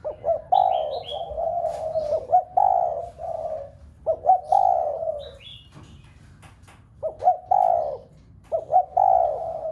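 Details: Cooing spotted dove used to prompt a household flock of doves to call: steady low coo phrases, each of several rolling notes, with a long pause midway and light high chirping from small birds.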